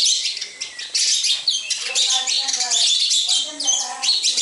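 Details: Sparrows at a house, a nonstop chatter of sharp, high chirps from several birds at once, with soft lower warbling tones mixed in.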